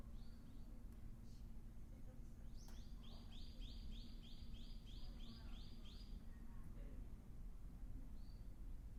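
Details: Ryukyu ruddy kingfisher newly arrived on Ishigaki Island, Okinawa, in spring, calling with a rapid series of about ten arched, whistled notes, a few softer notes before and after, plus a couple of clicks and low hum.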